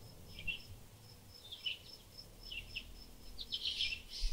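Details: Bird chirping: soft high chirps in small clusters, a few seconds apart, growing busier toward the end, over a steady high ticking pulse and a constant low rumbling background.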